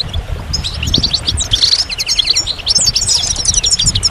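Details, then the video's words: Goldfinch singing a lively, liquid twitter of quick chirps and slurred high whistles, with a brief buzzy burst near the middle, above soft low-pitched background thumps. "Magical Goldfinch Songs"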